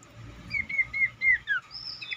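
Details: Cingcoang song used as a lure to make other cingcoang sing: a short string of clear, slurred whistles, each dipping and falling, ending with a few higher thin notes.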